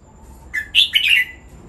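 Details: Cage-kept red-whiskered bulbul in training song: one brief, bright, slurred whistled phrase rising then falling, with a steady faint hum behind.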